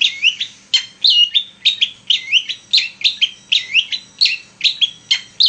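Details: Steadily singing long-tailed shrike used to stir other shrikes into song, repeating a short twisting whistled phrase with a rising and falling chirp about twice a second without pause.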